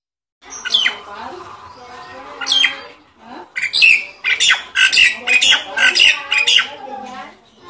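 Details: Nias hill myna call for stimulating mynas that have stopped singing. A few harsh squawks, then a rapid string of loud, sharp, whistled and rasping notes, roughly two per second.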